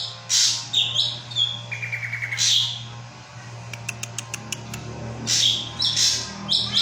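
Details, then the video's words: Drongo song meant to make drongos call back: harsh rasping bursts mixed with clear whistles, a quick ticking trill of evenly spaced notes, and several brief clicks. Continuous low hum throughout. "Masteran ampuh burung srigunting pasti langsung nyaut"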